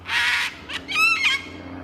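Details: Sulphur-crested cockatoo in a suburban park with river red gums, Carisbrooke Park, South Australia, giving loud warning screeches with no danger present: a raw, grating screech, then a harsher, wavering screech about half a second later.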